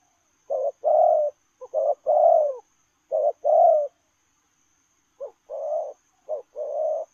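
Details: Spotted dove in 'lèo rồng' coo while running: low hoarse paired phrases, short then long, come in an uneven series with a pause midway, the later phrases softer, over a faint high hiss.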